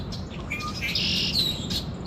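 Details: Short, high twittering from birds: several quick chirps, then a longer bright, slightly falling whistled note near the end, over a low steady background hum.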